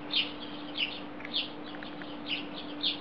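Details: Sparrows perched on a wire in Belgrade, Serbia, in July 2016 give loud sharp chirps about every half second, with softer chirps between them and a constant low hum in the background.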